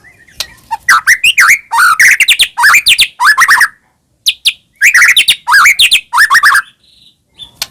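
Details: White-rumped shama (murai batu, Medan type) singing energetically with full mimicry fills, meant as a lure to provoke birds into singing: loud, varied bursts of slurred rising and falling whistles and sharp chips, in dense phrases separated by brief pauses.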